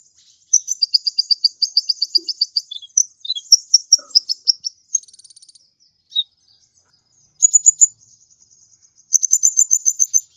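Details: Long, rapid sunbird trill of high, evenly spaced notes that slides into scratchy twitters. After a gap, loud piercing buzzy bursts follow. Sung vigorously, as used for tutoring caged birds.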